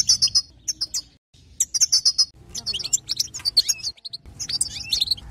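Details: European goldfinch singing to stir up other goldfinches, a fast run of sharp high twittering notes and liquid trills, the phrases broken by short pauses, later notes more varied and slurred.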